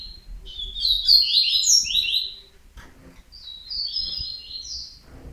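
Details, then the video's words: Loud, rich burst of rapid high chips and trills from a yellow-bellied seedeater, followed after a short gap by a softer, even twittering phrase. "COLEIRO BAIANO"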